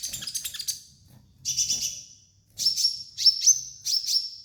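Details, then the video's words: Sunbird, called kolibri ninja, singing as a training master recording: clusters of very high, thin chirps, then sharp ticking notes ending in short, level, piercing whistles, with pauses between bursts. "MASTERAN KOLIBRI NINJA DAN TERAPI KONIN BAHAN"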